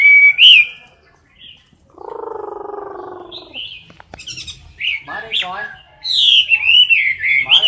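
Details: Chinese hwamei kept in a cage, singing for competition at close range: scattered whistled notes and a low buzzing interlude, then a dense burst of twisting, warbled phrases that grows loud and continuous.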